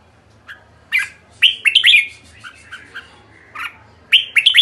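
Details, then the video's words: Red-whiskered bulbul calling kekek: after a quiet start, tight clusters of three or four sharp, slurred chirps, with a short pause before a final loud burst, low hum in the background. "Merbah jambul kekek"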